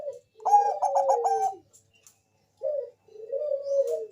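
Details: Zebra dove of the Bangkok type, used as a lure to make other doves sing: a soft cooing phrase near 500–800, then a rapid stuttering burst of pulsed coos, a pause, and a longer wavering coo.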